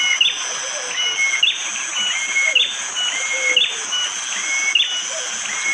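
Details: Morning forest near Panggul, East Java, Indonesia, with rain falling: a bar-winged prinia repeats a short phrase roughly every second. Each is a thin whistled upslur ending in an abrupt sharp peak, over constant high-pitched background hiss. Recorded on an Android phone.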